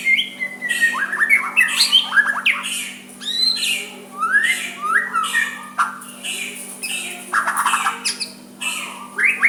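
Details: White-rumped shama giving a soft song meant to provoke a rival into replying: a flowing run of varied whistles and slurred notes, some rising and some falling, delivered almost without pause over a steady low electrical hum.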